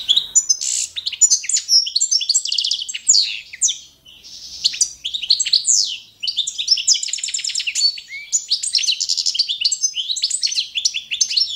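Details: European goldfinch, Carduelis carduelis balcanica, in a long competition-standard training song: dense high twittering and rattling trills, two short lulls, then rapid repeated notes and a low-pitched whistled slur near the end.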